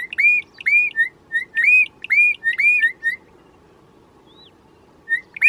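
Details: A Bokmakierie pair calling in duet: loud, ringing whistled notes in quick rhythmic bursts for about three seconds, then a pause before the calls resume, over a soft low rumble.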